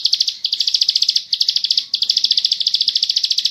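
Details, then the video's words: Rapid high chattering song of a bar-winged prinia in the ngebren style, recorded as tutor audio: fast, regular chip notes in three closely linked bursts at a steady pitch. "burung ciblek sawah ngebren gacor"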